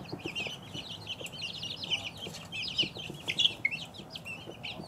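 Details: Close, loud peeping of two-week-old chicks, sharp high notes crowding together, a few piercing chirps standing out toward the end over faint low noise.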